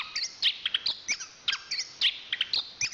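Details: Chestnut-capped thrush (anis kembang), a national champion singer, uttering spaced high chirps and short whistles in a quick, irregular sequence.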